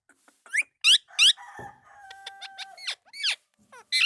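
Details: Indian ringneck parakeet utters sharp rising speech-like notes, interrupted by a steady held tone, then more short swooping syllables.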